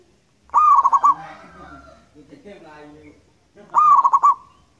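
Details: Local Indonesian zebra dove singing loud and long: two quick pulsed cooing phrases about three seconds apart, with a softer harmonic sound in between.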